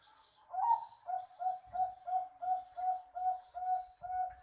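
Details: Zebra dove song, a training recording meant to stir lazy doves into singing: a rapid, even string of short mellow coos, about three per second, with bright hissy chirps layered above.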